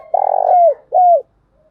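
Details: Part of a spotted dove decoy call used to lure wild doves: a long vibrating coo that glides down at its end, followed by a shorter level coo that also drops, deep and mellow.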